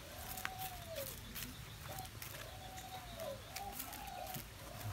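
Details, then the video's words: Spotted dove coo phrases from 21 August 2021: long mellow coos sliding downward at the end, followed by shorter paired notes, with soft ambient hiss and distant clatter. "Avi cu gáy"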